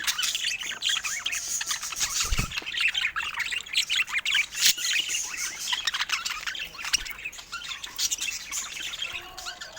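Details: Pet adult parakeets (budgerigars) indoors produce an unbroken chorus of thin, twittering chirps and harsh little squawks, with one dull bump partway through.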